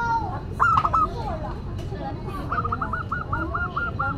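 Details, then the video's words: Local zebra dove singing actively, a classic, distinctive song suited to prompting and tutoring other doves: soft stepped cooing phrases, the second drawn into a long rolling series of repeated notes, over steady background hum. "Perkutut Lokal Gacor Suara KLASIK Dan UNIK"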